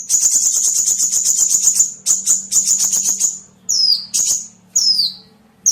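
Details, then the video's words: Calls for luring small birds: a long, fast, buzzy high trill broken by short gaps, followed by several clear high chirps sliding downward. "SUARA PIKAT BURUNG KECIL"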